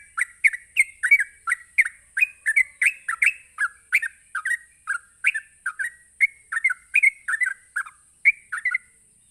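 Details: Fast ropelan song of a sooty-headed bulbul, sung to provoke other bulbuls. Short liquid whistled phrases tumble out about three per second for the whole stretch. A continuous high-pitched hiss is in the background.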